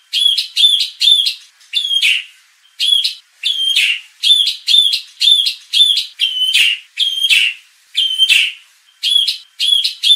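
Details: White-rumped shama song played to provoke contest birds and build a fighting spirit. Loud, sharp, ringing notes come in clusters of two or three, repeated steadily throughout, with short pauses between groups.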